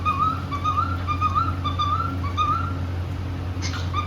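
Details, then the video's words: Cockatiel, a happy pet bird singing and playing, gives a chain of clear undulating whistles, each about half a second long, rising and falling in pitch, with a short click near the end and a constant low hum behind. "Happy cockateil bird singing and playing"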